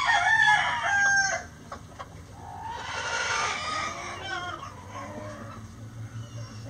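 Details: Before dawn, with the flock flying out of the coop, a rooster gives a loud, strained crow that trails off. Fainter crows and low clucking from other chickens follow.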